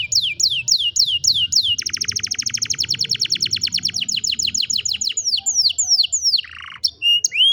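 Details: Belgian canary (Serinus canaria domestica) song: a bright, high run of falling whistles, then a fast rolling trill, ending in scattered chips, buzzes and rising notes.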